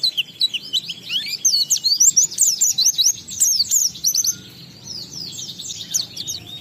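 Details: A continuous, rapid tumbling twitter of very high, zigzagging notes, about two per second, from an Oriental white-eye singing ngalas with riwikan fill material to prompt other white-eyes to sing.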